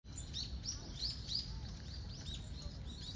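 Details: Common kingfisher on the Zenpukuji River, Tokyo, on 22 November, recorded by smartphone with a telephoto lens; thin, high whistled notes come in a quick series over a low rumble of background noise.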